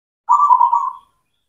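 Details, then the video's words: Singing local zebra dove of the cemani type, used to stimulate silent doves: a single loud, steady, bubbling coo phrase of rapid pulses, fading at the end. "PANCINGAN PERKUTUT LOKAL, PERKUTUT CEMANI GACOR, AMPUH UNTUK MASTERAN PERKUTUT BISU"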